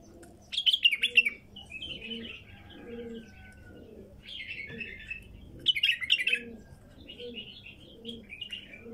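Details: Wild female bulbul delivering two loud bursts of rapid, sharp chirping notes with softer warbled phrases between; low paired dove coos repeat faintly in the background.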